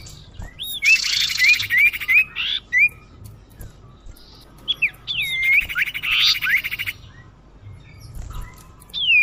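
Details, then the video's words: Common iora lure call, used by hunters to attract birds: short upslurred whistles repeated quickly, broken by loud buzzy rattling bursts and a few looping whistled notes. "suara pikat burung sirdum/sirtu/cipoh"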